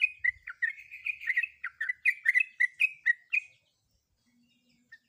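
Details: Breeding female sooty-headed bulbul calling a male: a fast, chattering string of bright slurred notes lasting over three seconds, then near silence with one last soft chirp.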